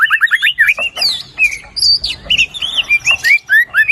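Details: White-rumped shama song used as a lure to stir a quiet, lazy bird into full singing: fast varied phrases of bright rising and falling whistles, quick repeated notes and sharp high slurs, delivered in rapid bursts with brief gaps.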